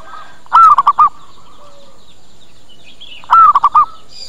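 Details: Zebra dove call used as a lure to attract birds and get them to answer. Two mellow phrases nearly three seconds apart, each a longer arched note and then three or four short coos. Quiet chirps from other birds in the background.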